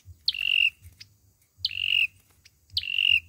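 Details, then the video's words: Olive-backed sunbird fighting song, played as a trap lure: three high flicked notes each sliding into a sustained thin whistle, roughly every 1.3 seconds, with a low hum underneath. "Tiếng chim sâu dừa | sâu dừa hót đấu | tiếng sâu dừa mồi"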